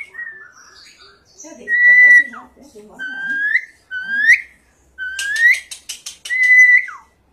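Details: Asian pied starling (jalak suren) singing: loud clear whistles near mid pitch, rising slurred notes and downward slides, with a burst of rapid harsh chattering clicks toward the end; a faint low murmur underneath early on.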